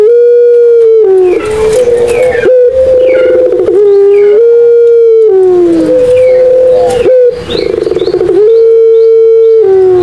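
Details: Barbary dove in the Madura pelung style, cooing to prompt silent doves to call: long, clear mid-pitched tones held steady and then falling, in repeated phrases, with light high twitters from other birds.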